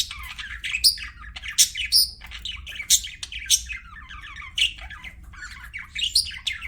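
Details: Pet budgies chirp in bright, sharp squeaky bursts repeated irregularly, some rising whistled notes among scratchy warbling chatter, with a quiet low hum behind.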